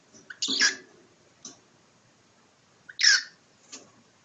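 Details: During a mock fight with its owner, a pet cockatiel lets out two harsh, hissing screeches about two and a half seconds apart, with faint clicks and soft handling noise.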